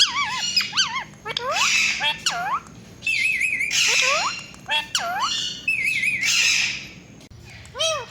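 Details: Rose-ringed parakeet kept as a pet ringneck parrot, mixing bright looping chirps with rasping squawks and short wavering whistles, calling in uneven bursts with a few pauses.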